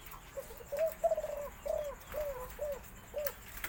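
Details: Recorded khan yon crow of a white Spotted Dove, full four kuk, deep medium-to-large voice: a short series of low, hollow coos, the middle notes longest and loudest, spaced about half a second apart.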